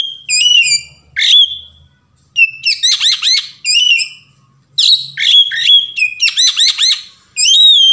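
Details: Oriental magpie-robin singing in the varied 'ngeplong' style, meant as a lure to prompt other magpie-robins to sing: bright whistled notes and rapid, downward-sweeping trilled bursts in repeated phrases separated by short pauses, with no other sounds.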